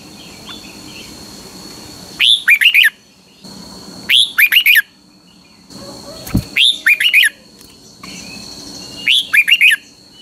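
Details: Pa La-u red-whiskered bulbul in Thailand giving double-style song: four short phrases of bubbly whistled notes, one about every two seconds, over a steady high hum and one low thump.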